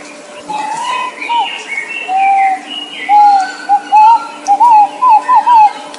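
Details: Nok pao bird calling: a mellow, hooting whistle that wavers at first, then becomes a series of short, wavy fluting notes repeated about once a second.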